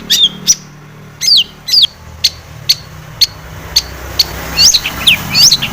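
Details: Long-tailed shrike in full, lively song, used as a lure to make other shrikes sing; sharp high down-slurred whistles and short ticking notes spaced irregularly, about two per second, with a faint low hum beneath.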